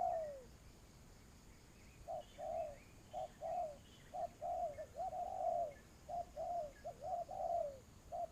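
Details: Spotted dove (cu gáy) calling during decoy trapping: repeated soft mellow coo phrases, short notes leading into longer downward-slurred coos, in bursts separated by pauses, over faint steady background hiss.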